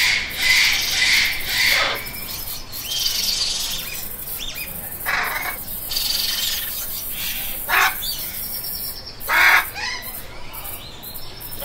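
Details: Raspy parrot squawks and screeches at uneven intervals, long grating calls early on, then separate sharp bursts, over continuous background hiss.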